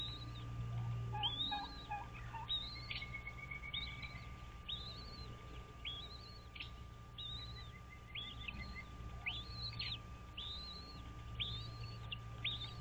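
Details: American bald eagle at a nest on Dale Hollow Lake, Kentucky-Tennessee border, nest camera recording at 06:05 on 06.03.2023: a long series of sharp, high, arched whistled notes repeated several times a second, with brief lower chatter early on and a steady hum.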